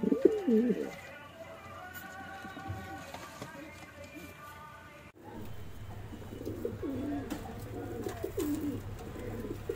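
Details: At the first pigeon race of 2021, a pigeon gives a wavering coo in the opening second, followed by a hum and later a stretch of softer, overlapping cooing from several birds.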